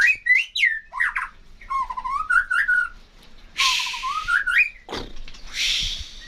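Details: A bird singing vigorously: a string of whistled phrases that swoop up and down and slur together, broken by two loud, harsh, rasping bursts partway through and near the end.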